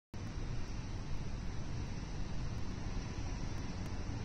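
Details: Rough wind buffeting with faint regular ticking clicks throughout, and no animal voices.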